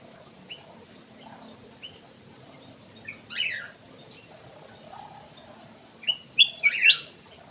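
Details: Lure song of an aviary-kept Ruby-throated bulbul: scattered soft chips, a downward-swept buzzy note midway, then a burst of bright, rapidly sliding whistles at the end over low background hiss.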